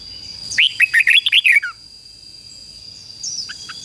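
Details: A red-whiskered bulbul decoy sings one rapid burst of six clear, warbling whistles ending in a slurred downward note, followed by quieter faint chirps, all over a steady thin background tone.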